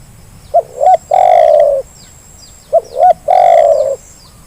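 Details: Lure call of a spotted dove for prompting lazy birds to call, given twice: a pair of short hooked notes, then a drawn-out, slightly falling low coo, over a thin high background hum.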